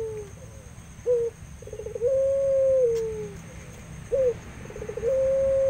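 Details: Barbary dove in an aviary cooing: short clipped note, a soft rapid stutter, then a long level mellow coo tailing down, the sequence repeated twice.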